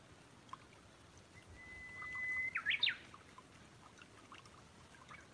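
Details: Brown-eared bulbul at a backyard bird feeding spot: a thin, steady whistled tone leads into a quick burst of loud, harsh, slurred squealing notes, then quiet with faint distant chirps.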